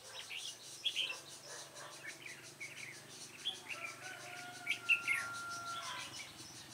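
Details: Red-whiskered bulbul near a trap: brief, lively warbled phrases and sharp chirps come in irregular bursts. A long, steady, even tone sounds in the background, along with a low hum and a faint rhythmic buzz.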